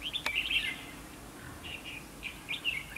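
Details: Red-whiskered bulbul decoy singing in a trap setup meant to provoke fighting; brief bright chirpy whistled notes, a loud burst at the start then scattered short phrases, over steady background hiss.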